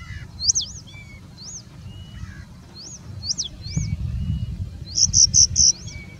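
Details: Singing bush lark in India singing and mimicking birds like Indian Robin, Pied Bushchat, Plain Prinia and Common Woodshrike; high arched whistled notes spaced apart, then a fast burst of four bright loud notes near the end, with low background rumble.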